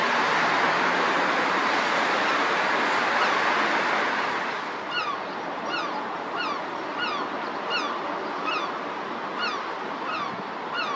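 A European herring gull gives short, harsh, down-slurred notes, repeated roughly twice a second, over loud breaking surf that fills the opening seconds.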